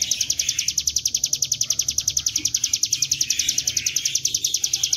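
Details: Bar-winged prinia lure recording meant to draw the bird into singing, in the gacor ngebren style: a long, rapid, even series of high, sharp chipping notes repeated without pause, with faint low background noise.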